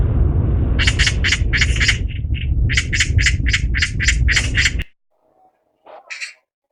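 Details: Chattering magpie: a fast series of harsh, rasping chak notes, about three or four a second, over a loud low rumble that cuts off suddenly, followed by a short pause and one more rasp.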